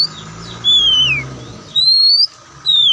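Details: Oriental magpie-robin of the white-breasted form giving a relaxed song: three loud, clear whistled notes, the first sliding downward, the second rising, the third falling, with short pauses between them over a faint steady background hum.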